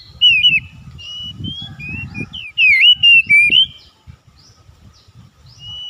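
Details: Kacer (Oriental magpie-robin) on a daily lure track to coax vigorous song from a lazy bird: loud looping whistles and warbles in a bright run of phrases, fading to occasional soft whistles, with low background rumble.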